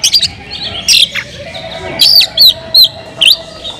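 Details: Oriental magpie-robin (kacer) singing loudly to provoke other magpie-robins: bright whistled notes and sharp upslurred chirps in short bursts, separated by brief pauses, with faint background hum.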